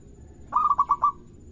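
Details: Local zebra dove, a bird kept for song, used to prompt other birds to sing; a single soft cooing phrase of about five quick pulsed notes near one pitch, lasting half a second, over low background hum.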